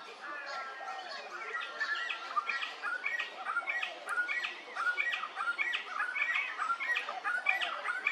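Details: Little friarbird calling at Hervey Bay, Queensland: a steady run of short, chirpy and slightly squawking notes, some bending up or down, coming almost twice a second over eight seconds, with other chatter and a faint background hiss.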